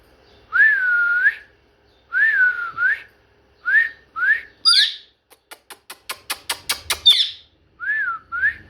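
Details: Pet parrot indoors giving long smooth whistled notes that dip and rise, several shorter whistles, then a quick run of dry clicks and a squawk before two final short whistles; a person speaks softly nearby.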